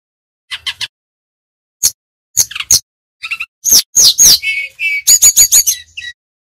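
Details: Bali-origin brown-chested jungle flycatcher singing a whistled training song for newly caught birds: short groups of sharp high chirps separated by brief silences, building to a dense run of clear whistles and quick repeated notes.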